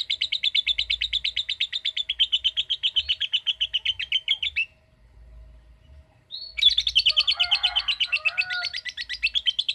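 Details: Lovebird 'ngekek' song in two long bouts: a rapid, buzzy pulsed trill for over four seconds, a short quiet gap, then a second equally fast trill resuming.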